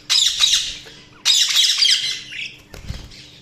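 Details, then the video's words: Budgerigars chirping in two loud scratchy warbling bursts, each over a second long, followed by a thud and quieter twittering; faint hum throughout. "Budgies Sounds| Budgies Chirping sound"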